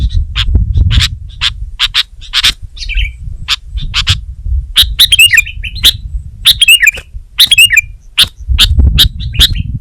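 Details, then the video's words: Sooty-headed bulbul (kutilang) singing vigorously: bursts of sharp, clipped chirps in irregular runs, some with twisting warbled notes, over a low rumbling background hum. "Suara Burung Kutilang Gacor"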